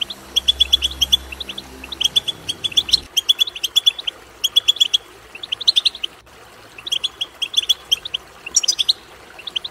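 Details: European goldfinch song for stimulating a goldfinch to sing: lively twittering in short, bright phrases of rapid chirps and metallic jingles, pausing briefly between runs, with low rumble at the start.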